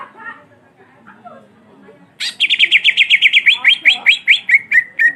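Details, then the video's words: {'text': 'Cucak ijo, a long black-muzzled bird, singing in a rolling style meant to provoke other birds: after a quiet, murmuring start comes a fast run of about fourteen bright, slurred whistled notes, closing with slightly lower downslurred notes.'} "Cucak Ijo Gacor Ngerol Moncong Hitam Panjang Cocok Memancing Emosi"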